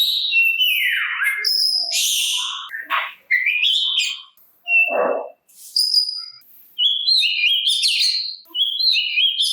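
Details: Oriental magpie-robin (kacer) singing to draw answers from rival magpie-robins: falling slurred whistles, scratchy notes, a lower harsh burst midway, then stepped whistled phrases separated by short pauses.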